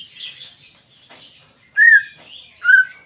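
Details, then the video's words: Greater green leafbird (cucak ijo) song aimed at prompting a silent pet bird: quiet high warbling, then two loud clear whistled notes near the end. "Terapi Cucak Ijo Malas Bunyi"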